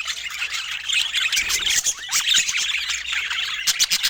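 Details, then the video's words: Budgerigars chattering while feeding, with no words or music: a dense, continuous mix of many high chirps, squeaks and warbling notes from several birds at once, with a few louder squawks. "Budgie Nutrition Basics with Sweet Sounds and Feeding Joy"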